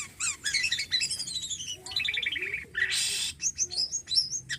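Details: Javan pied starling singing actively, a varied medley of high whistled notes, harsh buzzy bursts and downward-sliding phrases, with a noisy rasping burst near the middle and quick rising whistles at the end.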